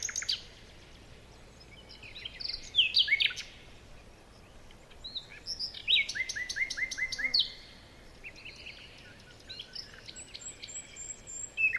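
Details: Several wild birds chirping in a forest in the morning: high, bright notes come in scattered bursts, with one quick run of short downward-sweeping chirps in the middle and thin high whistles near the end over quiet background hiss.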